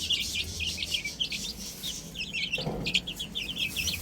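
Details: Chicks playing on a roof, chirping in a busy overlapping chorus of short high peeps, some sliding downward, with a brief low thump midway.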